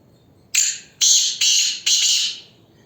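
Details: Black francolin, a full-size Ghanghas Tloori mix breed kept by a keeper, calling: four harsh, grating high-pitched bursts, the first short and the rest longer, in quick succession with a quiet background.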